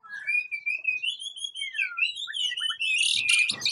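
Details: Captive-bred white-rumped shama of the Aceh type singing: varied clear whistled phrases rising and falling, with quick slurred notes, ending in harsh scratchy bursts.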